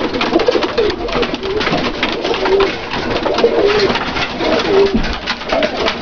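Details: Domestic pigeons of the Dalıcı breed in a small loft, short low bubbling coos recurring about once a second amid dense clatter and wing movement from other birds.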